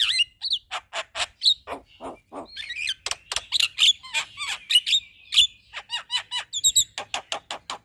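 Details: Chattering song of a Javan myna, kept as a master recording for teaching other birds: a dense, steady string of clipped chirps, squeaks and short whistles, with hardly a pause throughout.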